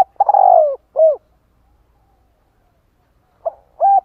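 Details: A decoy spotted dove calls to attract and stimulate other doves. A long, husky, descending coo is followed by a short arched coo. After a silent gap, a clipped note and a level coo begin the next phrase.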